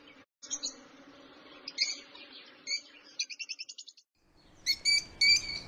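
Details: Lovebirds calling as pets; scattered shrill squeaky notes, then a quick rattling run of high chirps, a pause, and a few louder piercing squawks at the end.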